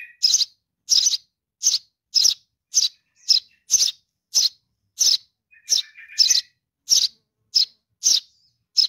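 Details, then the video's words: Young sparrow chick calling for its mother, a fast run of sharp, harsh chirps roughly every half second, with a short lower buzzy twitter in the middle. "suara anak burung gereja memanggil induk .baby sparrow calling for mom"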